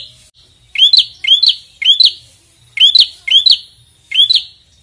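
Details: A prinia sings persistently as if challenging a rival, bright, sharp upslurred chirps at high pitch in quick pairs about every half second in steady bursts; no other sounds stand out.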